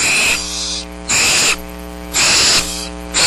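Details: Barn owl owlets in a nest box at Starr Ranch, still in down, waiting for food on a rainy March 6th, 2010; long harsh hissing screeches overlap almost continuously, over a steady electrical hum.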